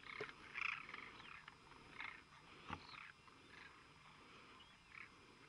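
Demoiselle cranes in a flock give overlapping harsh, rolling calls in short bursts every second or so, with a steady background hiss.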